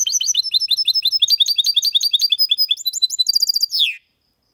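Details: Goldfinch x canary hybrid male in song, a clean error-free performance in the Malaga style, used to stimulate other males to sing and for young birds to memorise; fast rhythmic run of sharp, high tinkling notes, ending in a downward slur.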